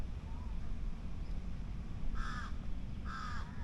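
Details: A crow gives two harsh, nasal caws about a second apart in Queen Sirikit Park, Bangkok, Thailand, in the evening, over steady low traffic rumble and faint distant voices.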